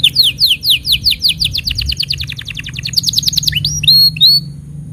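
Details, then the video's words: Training song for young canaries and for canaries that have stopped singing. A canary runs rapid series of downward-sweeping notes that speed up into a dense rattle, then ends with a few clear rising whistles. "Masteran Untuk Kenari Paud Dan Pancingan Kenari Macet Bunyi"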